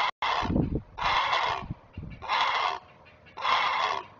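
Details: Great blue heron parent protecting its kids on the nest, camera recording of 19 May 2023, utters three rough, rasping squawks about a second apart, with soft knocking and rustling sounds between them.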